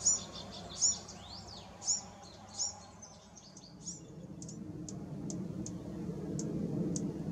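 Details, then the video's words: A Bewick's Wren in California gives high, sharp chirps with quick downslurred notes about once a second, then fainter thin ticks, over a low steady rumble. "Bewick’s Wren"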